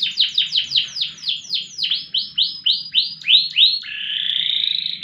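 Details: Loper canary, a competition bird noted for song duration and volume, delivering loud downward-sweeping whistled notes that slow gradually, then shifting into a sustained rising buzzy trill, over a faint low hum.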